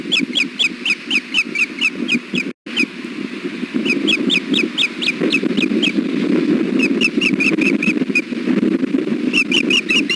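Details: Osprey, a male sitting on the nest during strong wind at Hellgate, 1pm on 3 July 2016, calls in alarm: long strings of shrill, evenly repeated squeaky chirps, broken into several series, against constant low wind noise.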